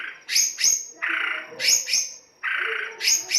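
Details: White-rumped shama in rough 'kasar' style song, played as a lure to stimulate singing: harsh rasping buzzy bursts alternating with pairs of sharp, high chipped notes, repeated in quick bouts under a second apart, over a quiet background.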